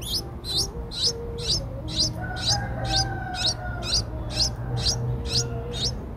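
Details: Streak-eared Bulbul nestlings, eight days old, whose eyes opened at seven days, recorded in Ubon Ratchathani, Thailand, on 10 April 2023: high, sharp upswept chirps repeated steadily about twice a second, with faint low tonal calls of other birds behind.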